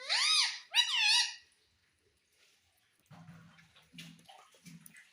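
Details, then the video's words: Indian ringneck parakeet, described as a talking parrot that says mummy and papa, gives two loud raspy wavering screeches back to back, followed by quiet low murmuring and soft rustling. "Talking Parrot Mummy Papa"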